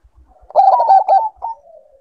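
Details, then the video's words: Bangkok-type zebra dove in breeding condition giving one short cooing phrase: a quick run of mellow, bubbling notes that ends in a softer trailing coo. "Naikan Birahi Perkutut Bangkok"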